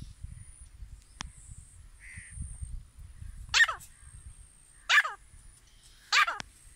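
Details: Grey francolin (desi teetar) calling: three loud harsh descending notes spaced about 1.3 seconds apart, each a ragged burst, over low rumbling background noise.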